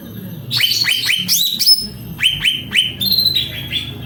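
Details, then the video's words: Cucak ranting in vigorous song, repeated sharp upward-swooping whistles in quick series, then a brief high sliding note and further clipped whistles; faint low hum behind. "Burung Cucak Ranting Gacor Pol"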